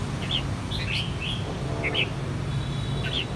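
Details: Sharp, clear chirps from a red-whiskered bulbul, an escaped bird facing off against a household bulbul, come in short separated bursts about every half second, with a low background hum throughout.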